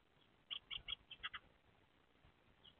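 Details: Male Eurasian Tree Sparrow at a nest box on 30 April 2024, as egg-laying begins; he arrives calling, peers into the hole, then gives sharp "fi-fi-fi chi-chi-chi" chirps, six quick high notes and a faint one, tapping the porch.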